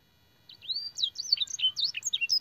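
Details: Canary master song with blackthroat and sanger phrases: after brief quiet, a long rising whistle, then quick looping and dropping notes in a lively sequence.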